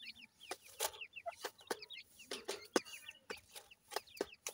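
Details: Grey francolin (teetar) chicks feeding: a busy chorus of short, high, arched peeps from several chicks, repeated rapidly and overlapping, broken by sharp dry clicks and taps throughout.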